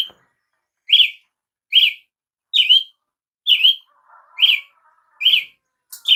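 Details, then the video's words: Brazilian tanager (tiê-sangue), a bird of eastern Brazil, giving short, bright, downslurred notes, each strongly accented, repeated roughly every 0.8 seconds, with a faint lower warble between two of them. "canto de Tiê sangue"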